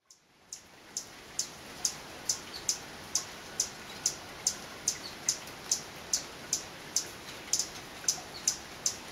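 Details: A male Violet sabrewing sings on a rainy day in a Guatemalan cloud forest, repeating sharp, very high chips about twice a second, unevenly spaced, over a steady thin high whine and soft rain hiss.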